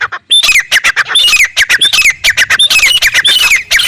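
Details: Desert teetar, a wild francolin of desert country, calling in a dense, continuous series of loud, rasping, squawky notes repeated several times a second without a break.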